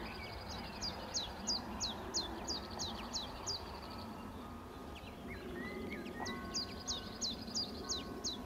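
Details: Common chiffchaff: a series of short, high, downslurred notes repeated about three times per second. A brief gap falls mid-clip before the notes resume. Lower whistles from another bird and a steady low rumble sit beneath.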